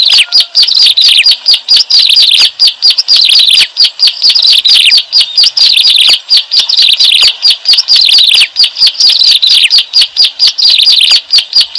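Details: Bar-winged prinia calls used as a lure for bird trapping: a dense, unbroken run of sharp, high chirps that sweep downward, overlapping almost continuously, with a thin metallic upper layer.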